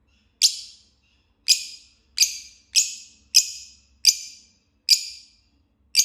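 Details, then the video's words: Green lovebird chirping: sharp, high, harsh chirps with quick decay, repeated roughly every 0.6 to 1 second, in an otherwise quiet setting. "Love Bird Singing and Chirping Sounds - Green"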